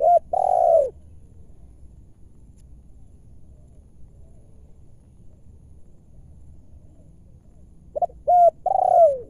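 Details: Wild spotted dove calling in its home area while being lured during trapping: a short two-note lead-in and a long, descending rolling coo at the start, then the same phrase again near the end, with quiet rural background.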